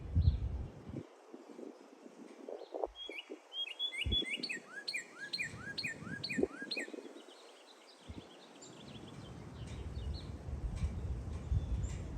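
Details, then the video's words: Red bird chirping in cold wind: a quick series of short, high, downslurred chirps repeated for a few seconds, over strong gusting wind rumble that continues throughout. "A red bird chirps in the cold wind"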